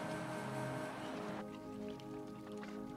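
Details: Steady layered music tones with a soft patter like rain or running water, and no animal voice heard.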